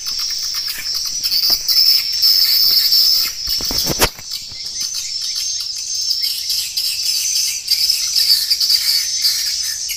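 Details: Swiftlets twitter in a dense, high, buzzy chatter of rapid overlapping chirps, a lure call to attract swiftlets to roost in a swiftlet house. A brief sharp crackle breaks in midway.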